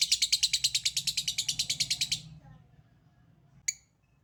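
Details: Hurried harsh chatter from a lovebird, the 'ngekek' call, about two seconds of quick repeated rasping notes that fade out, then a low hum and one lone sharp tick.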